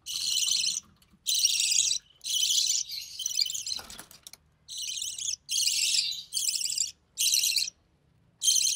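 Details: Budgerigar chick of recessive pied type, sole survivor of a clutch of three hatched in early June 2020, calling at feeding time with its mother: loud grating, hissy bursts in quick succession, some back to back, with a brief rustle midway.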